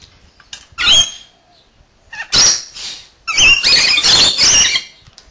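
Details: Two Rainbow lorikeets taking turns bathing give harsh, high, screeching bursts, three separate outbursts, the last running over a second, with splashy wing noise between.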